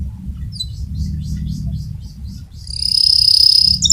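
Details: Fighter canary with rolling song, suited for tutoring other canaries. Soft scattered chirps over low rumbling background give way to a loud, very fast, even trill held for over a second.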